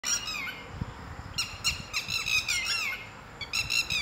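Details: One of two red-wattled lapwings living in a garden, birds that attack when approached too closely, gives loud, shrill, strident notes in quick bursts, each sharply slurred downward, over a faint low rumble.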